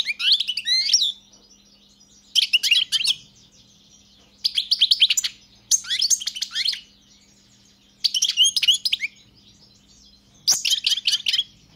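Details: European goldfinch repeating short, tinkling, twittery song bursts roughly every two seconds, each a cluster of quick bright notes, with a faint steady low hum underneath.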